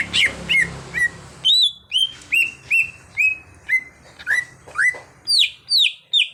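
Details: Caged untrained green leafbird being trained to sing prolifically: a lively run of clear whistled notes, many sliding up or down, given roughly twice a second, with a faint low hum underneath.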